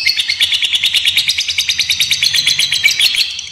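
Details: Lovebird of fighter type in long ngekek song, played as a lure and master recording for young birds: unbroken, fast string of sharp high chirps, steady and buzzy, with no other clear sounds.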